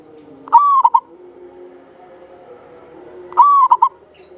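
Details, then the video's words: Local Javanese zebra dove singing vigorously, its long clear voice kept as a lure to prompt other doves to sing; two phrases about three seconds apart, each a sustained clear coo followed by two or three quick clipped notes, over faint low hum. "Perkutut lokal jawa gacor buat pancingan suara panjang bening"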